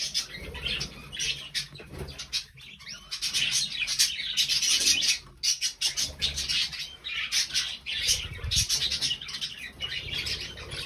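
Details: Three budgerigars recorded on 20 November 2020, keeping up a dense, scratchy warbling chatter of rapid high chirps and squawks with brief pauses, a steady high-pitched hiss underneath.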